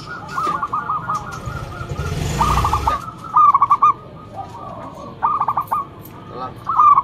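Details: Local Indonesian zebra dove, a loud, steady singer kept as a lure bird, giving bursts of rapid, rolling cooing notes in short rhythmic phrases repeated several times, interrupted midway by a brief rough noise burst.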